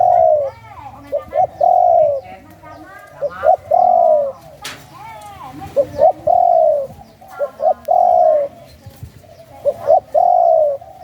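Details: Captive spotted dove of the Thai 'sai khu ang' line, father said to double every phrase: repeated cooing phrases of short clipped notes and long level coos, about every two seconds, with faint clicks between.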